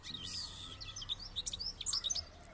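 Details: Singing European goldfinch delivers a dense run of high, tinkling twitters and quick chirps that grow louder and more rapid toward the end, over faint background hiss.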